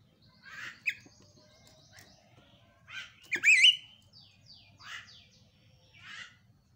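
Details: Javan myna call used to lure quiet mynas into chattering again: scattered harsh, buzzy notes and short downslurred whistles, with a loud wavering whistled burst near the middle, over a faint low hum.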